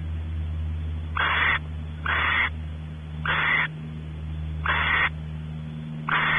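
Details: Barn owls at Audubon Starr Ranch, California, the male exploring the nest cavity while the female expects mating; five breathy, rasping hisses about a second apart over a steady low rumbling hum.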